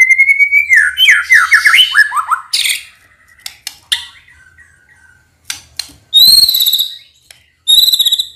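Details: White-rumped shama lure song from Indonesia for birds slow to sing, rich in isian: a long steady whistle, quick cascading downslurred notes, then sharp clicks and loud ringing high phrases after short silences.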